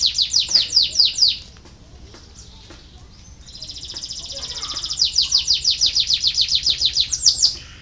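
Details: Canary song meant to stimulate lazy canaries to sing: rapid series of high descending trill notes, then a quiet pause with a thin sustained tone, building into a long fast rolling trill repeated several times a second.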